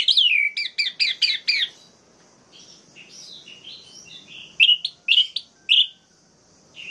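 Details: Orange-headed thrush song to provoke other males: a rapid run of loud slurred whistles at the start, then quieter varied warbling and a few sharp rising whistles, faint background noise.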